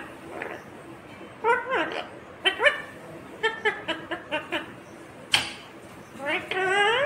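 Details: Pet Indian ringneck parakeet talking, imitating a Hindi phrase calling mummy and asking for roti; a string of clear, nasal, voice-like syllables with short gaps, ending in a longer drawn-out word.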